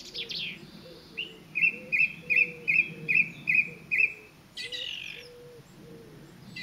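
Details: Song thrush singing in the Avenue at WWT Caerlaverock, a reserve site: a phrase of about eight clear, identical whistled notes repeated rapidly at an even pace, followed by a scratchy burst, with fainter background bird calls.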